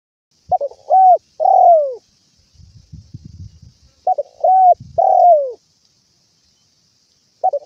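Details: Spotted dove calling vigorously to its companions, a recording meant to lure doves when trapping and to train quiet birds at home. It gives two phrases of short clipped notes ending in a long, falling coo, with low rumbling noise between them.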